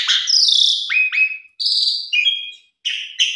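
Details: Short burst of Asian pied starling song: a loud buzzy whistle sweeping down, two quick rising slurred notes, then steady whistles and buzzy notes split by brief silences.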